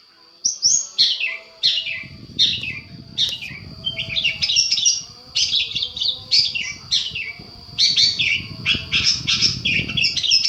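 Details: Long-tailed shrike master recording for provoking replies: repeated harsh chirps, then rapid buzzy chatter over a steady high tone, with low rumbling background noise.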